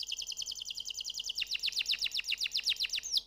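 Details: Canary delivering a rapid, even series of high downward-flicking notes, about seven per second. The notes drop slightly in pitch midway and the phrase ends in a short upward whistle.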